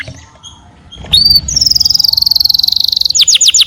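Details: After a quiet start, a house canary bursts into a sustained rapid high trill, finishing with a few loud descending whistled slurs.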